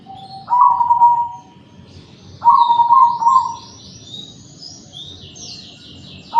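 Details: Zebra dove of the cemani type with a big voice, used to prompt other zebra doves to answer. Low, fluttering coo phrases are given twice, about two seconds apart. Thin, high chirps from other small birds run above.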